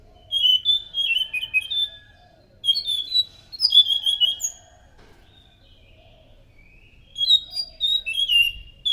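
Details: Thrush singing as a lure for other thrushes: bursts of varied, rich whistled notes, warbling and slurred up and down, in three phrases separated by pauses of a few seconds. No other sounds.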